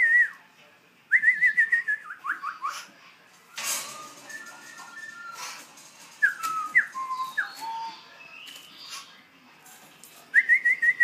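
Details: Young black throat practising its song indoors: bursts of bright whistled notes repeated rapidly, slightly falling phrases broken by pauses, with scattered lower whistles and a sharp knock in the middle.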